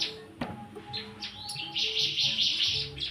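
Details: Oriental white-eye in captive breeding: a few thin rising chirps, then a quick run of high buzzy trilled notes in the final second, over steady low humming tones.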